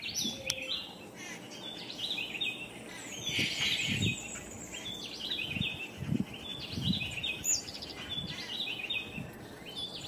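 Yucatan jays give loud, harsh, clipped calls in overlapping bursts, as if several birds are calling at once, over low rumbling background noise.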